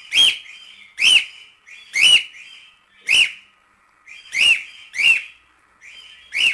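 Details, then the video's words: Training song of a cockatiel for teaching young birds: a steady run of loud whistled notes, each sliding up and down, roughly one per second, with softer whistles between them. "CALOPSITA CANTO TREINAMENTO PARA ENSINAR FILHOTES"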